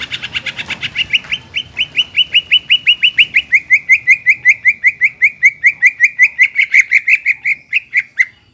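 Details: Greater green leafbird song played to push a bird that stopped singing to sing again: a long, even run of over thirty short chirped notes repeated rapidly at one pitch, slightly falling toward the end.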